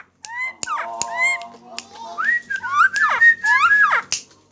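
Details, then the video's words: Friarbird from Lombok in full song on a hand, indoors: a lively run of fluid whistles sliding up and down with quick harmonic overtones, soft voices faintly behind and sharp clicks near the end. "koak kaok lombok gacor ditangan"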